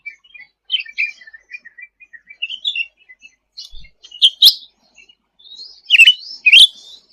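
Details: Sooty-headed bulbul in lively 'gacor' song for masteran training: a soft rambling twitter gives way to loud, sharp, upswept chirps near the end.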